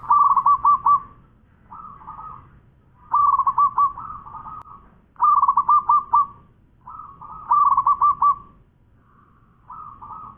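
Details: A local zebra dove, a prize-winning singer in full voice, repeats its cooing phrase six times over ten seconds. Each phrase is a burst of quick staccato notes running into a rolling trill.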